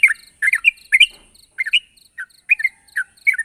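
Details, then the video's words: Yellow-vented bulbul calling a rival, giving loud, bubbly paired chirps in quick bursts separated by short gaps, each cluster rich and slurred. "suara burung trucuk gacor memanggil lawan"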